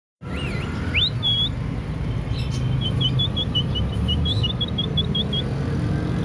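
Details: Hand-tame talking lovebird whistling like a ringneck: a few rising slurred whistles, then a run of about a dozen short clear notes, over loud steady low rumble and a high electrical whine.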